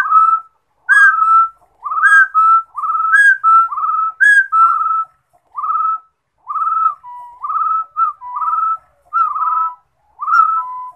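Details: Song of a rufous-throated partridge: a long run of mellow rising whistles, closely spaced at first, then settling into evenly spaced two-note phrases about one per second against a quiet background.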